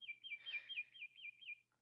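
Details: A Black-crested Titmouse in the central Texas Hill Country sings a quick series of about seven clear, down-slurred whistles, peter-peter-peter, at a steady high pitch.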